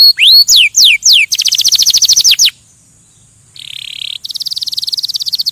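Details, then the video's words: Canary singing to stimulate other birds: upslurred whistles sweeping high, then fast trills of rapid repeated notes, a brief pause, a buzzy rattle and another quick high trill. "Kanarienvogel singt um Vögel zu stimulieren"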